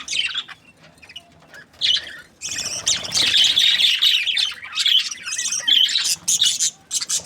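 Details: Happy budgerigars in breeding pairs give sparse high chirps, then a long loud stretch of scratchy warbling chatter with squeaky whistled notes mixed in, several birds calling together.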